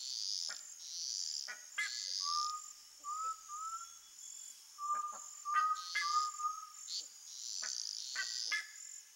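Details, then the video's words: Song of the undulated tinamou, known as jaó, in the sertão countryside: short runs of three mellow whistles, each note gently rising, repeated twice, amid a constant insect drone and frequent sharp clicking calls. "CANTO do JAÓ (CRYPTURELLUS UNDULATUS), UNDULATED TINAMOU, O canto do sertão."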